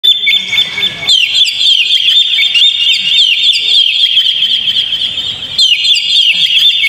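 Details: Oriental magpie-robin song played to lure a caged magpie-robin into singing: a loud, continuous stream of high, sharp whistled notes and rapid chattering trills, a brief pause near one second, then dense warbling resumes.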